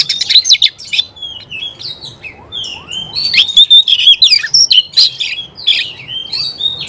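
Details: Oriental magpie-robin delivering a rapid varied song: sliding whistles, sweet slurred notes and scratchy chips packed closely together, loudest in the middle of the phrase.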